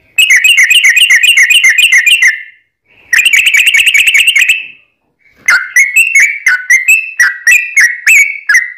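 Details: Sooty-headed bulbul (trucukan), long rolling song used to lure other birds into singing: fast buzzy chattering bursts around two seconds long, then a series of short, clear, descending whistled notes repeated quickly.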